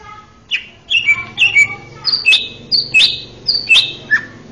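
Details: A male greater green leafbird gives varied song for tutoring young birds: sharp, high squeaky chips and slurred whistles in quick irregular bursts, some notes falling, over a faint low background hum.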